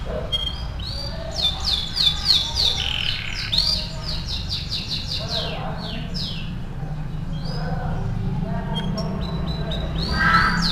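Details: Canary in tutor song for training: clusters of high swept whistles and short trills, separated by gaps, over a steady background hiss and noise.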